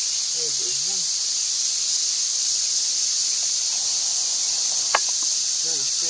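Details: Hundreds of thousands of red-billed quelea chicks begging for food in an African bush nesting colony: a dense, unbroken high hissing roar throughout, with brief low human-like voices at the start and a sharp click near the end.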